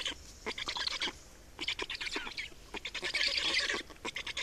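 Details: Black storks at a nest in Estonia during a nest change and feeding, 28 May 2019 at 8:13; loud raspy hissing notes in quick bursts, pausing then resuming, with faint birdsong behind.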